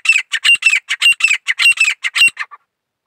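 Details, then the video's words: Grey francolin (teetar) singing in wildlife season: a rapid run of about thirteen loud, harsh, shrill notes packed into two and a half seconds, each a short strident burst, ending abruptly in silence with no other sounds. "teeter birds 🐦 grey partridge 🐦 songs 🎵"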